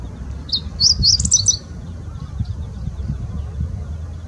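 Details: A male meadow bunting (Emberiza cioides) sings on 24 October 2020: one quick, high phrase of about a second, with bright, sharp notes and slurred chirps, over a low background rumble.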